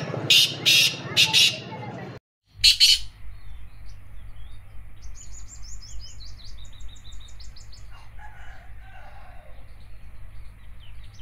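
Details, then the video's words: Black francolin calling: a run of four harsh, broadband bursts in the first three seconds, then quieter bird chirps over a steady low hum. "Kala Teetar Awaaz Teetar ki Awaz black Teetar Calling partridge Voice"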